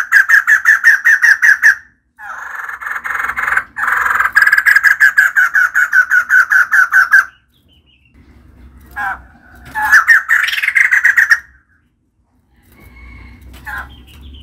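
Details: A female white-crested laughingthrush chatters in long runs of fast, rasping, evenly repeated notes, broken by short gaps, then quieter scattered calls and a last loud burst.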